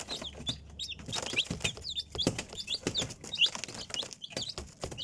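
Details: Chicks cheeping with high, brief, falling notes scattered every fraction of a second, mixed with loud knocking and tapping noises and a soft low hum.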